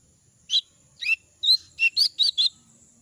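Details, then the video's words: Jongkangan bird in moult, losing feathers, its voice hoarse and unable to sing fully: seven short sharp chirped notes in about two seconds, irregularly spaced, quiet background. "suara burung jongkangan dalam ke adaan mabung rontok bulu"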